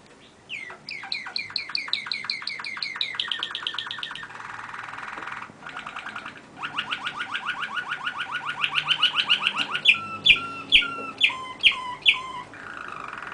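A songbird delivers rapid, varied phrases: fast trilled rattles, buzzy stretches and rising whistles, ending in a few loud, clipped notes repeated about twice a second.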